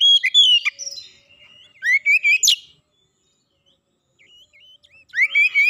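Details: A fast provoking song from an oriental magpie-robin, used to stir another into singing. Bright slurred whistles and chattering notes come in short bursts, with a long quiet gap before a final rising, warbled phrase.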